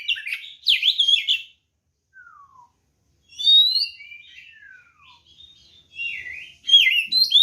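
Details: Fighting song of a white-rumped shama meant to provoke other birds: loud warbled bursts, a single descending whistle, drawn-out whistled notes and a final lively burst, with brief silences between.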